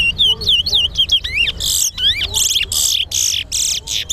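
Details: Towa towa in a singing competition at Sheriff Street bird ground, Guyana, two birds matched against each other: rapid sweeping whistled notes, slurred up and down, then loud harsh buzzy bursts repeated about twice a second. Faint low background noise.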